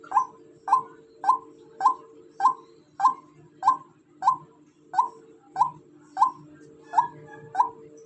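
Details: Rhythmic calling of a female white-breasted waterhen: around fourteen short, bright notes roughly every half second, with a faint steady hum in the background.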